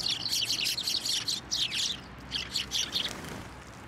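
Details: Sparrows taking food on posts and from a person's hand at a Tenmangu shrine, 24 November 2023: rapid bursts of bright, high chirps in clusters, with a short pause in the middle.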